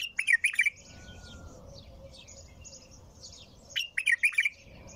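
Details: Bulbul song: two bubbly warbled bursts nearly four seconds apart, with a faint drawn-out whistle and soft high twittering between them.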